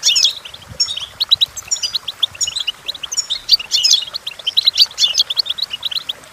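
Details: Goldfinch singing, offered as a model for teaching goldfinches to sing; a fast, jangling run of high chirps and twittered trills, with denser bursts and brief buzzy slurs woven through a continuous cheerful stream.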